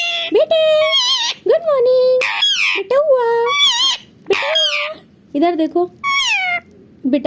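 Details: Tame talking parrot indoors, chattering words: a series of loud, squawky, harmonic syllables with upward bends and held nasal tones, in phrases about a second long separated by short silences.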